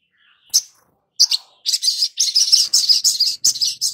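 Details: Long-billed spiderhunter used as a lure sound to get a freshly caught bird singing quickly. Sharp high chirps break a silence, then build into a dense run of rapid, buzzy twittering notes in quick bursts.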